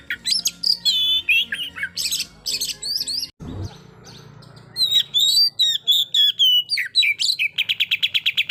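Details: White-rumped shama song meant to rile a rival bird: loud whistled phrases and buzzy bursts, a brief break with a low thump, then clear wavering whistles ending in a fast rattling trill.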